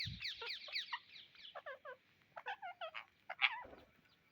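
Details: Indian ringneck parrots searching for seeds give a chain of short downslurred squeaks, some in pairs and triplets, ending with one loud, harsh screech, with soft thumps at the start.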